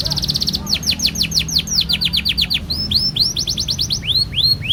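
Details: Long rolling canary song meant to set other canaries singing: a fast buzzy trill, then runs of quick downslurred whistles, slowing into wide arched notes, with a low hum behind.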